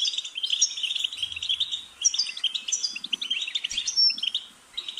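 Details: European goldfinch song for training to sing: busy, tinkling twitter with a sharp, thin whistle near the end and brief silences between phrases.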